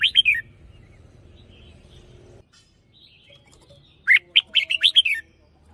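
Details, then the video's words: Red-whiskered bulbul giving decoy song with a double phrase: an opening trill of rolling whistles, a quiet gap of several seconds, then a lively sequence of six to seven clear, bouncy whistled notes. "เสียงนกกรงหัวจุก เพราะๆ"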